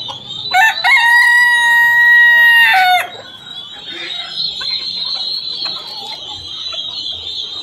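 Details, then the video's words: Silkie chickens: one loud, steady, nasal note held about two seconds and dropping at the end, then thin, high, continuous peeping from Silkie chicks. "silky chicks"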